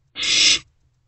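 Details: Single harsh, breathy hiss lasting about half a second from a barn owl owlet in a nest box at night, just after a rodent was brought in.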